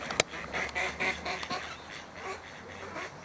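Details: Mallard drakes fighting over a female, two males defending her from an intruding male; a burst of short nasal, buzzy calls clusters in the first second and a half, then fades, with low hum and sharp clicks and splashes behind.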